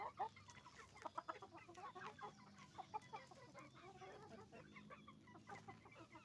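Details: Hens and roosters at a chicken farm producing a busy chorus of short, sharp clucks in quick irregular bursts, many birds overlapping, above a low constant hum.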